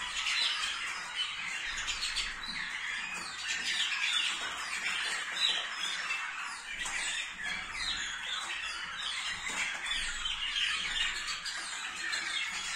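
Waterslager canaries sing together in a dense, continuous chatter of high, rapid chirps and rolling trills, with several birds overlapping throughout.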